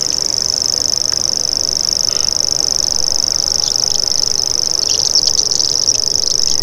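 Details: Continuous high buzzing reel of a common grasshopper warbler, even and sustained throughout, with faint chirps from other birds toward the end.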